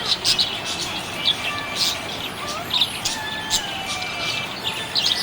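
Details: Contented budgerigar giving loud, high, scratchy chirps in short bursts a second or so apart, with soft warbled slides between them and a constant hiss.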